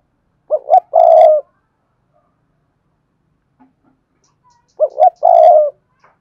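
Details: Decoy spotted dove calling wild doves in: two identical loud phrases about four seconds apart, each a pair of quick notes then a long rough coo, silent between.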